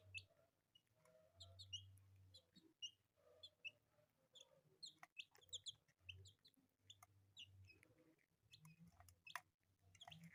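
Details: Colourful pet chicks peeping: short, high, downward-slurred cheeps come in irregular bursts, several birds overlapping, with a steady low electrical hum underneath and occasional soft clicks.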